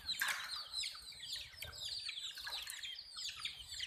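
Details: A group of baby chicks giving high, piercing, falling peeps in a continuous jumble, with soft fluttering and low background rumble.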